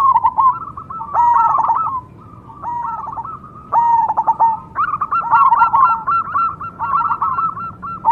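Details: Singing zebra dove, cemani type: dense trilling coos in quick succession. A short pause breaks the series before the bird resumes with a sustained, pulsing run of mellow notes that repeat steadily to the end.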